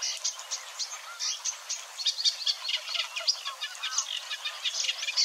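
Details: Singing Eurasian Reed Warbler at Wetering West, Overijssel, Netherlands, in early May 2022; a chattering, churring stream of short high notes and clicks, burbling along with little imitation, in a reedbed with faint background calls.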